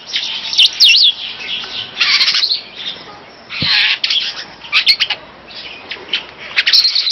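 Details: Superb starling used as a master songbird delivers a rambling song of quick looping whistles, buzzy chatter and rasping bursts, continuous and varied, against constant background hiss.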